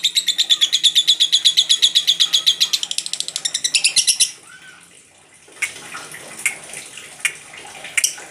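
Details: Lovebird giving "ngekek" chatter: fast high rasping pulses for about four seconds, quickening near the end, then stopping; faint background noise and scattered chirps follow.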